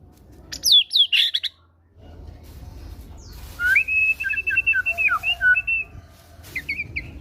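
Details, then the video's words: Lure song of a caged fighter White-rumped shama singing great tit (gelatik batu) material to prompt other caged birds: a sharp burst of high whistles, a pause, then a long chain of clear whistled phrases with steady low hum behind. "PANCINGAN MURAI BATU FIGHTER GACOR BONGKAR MATERI GELATIK BATU"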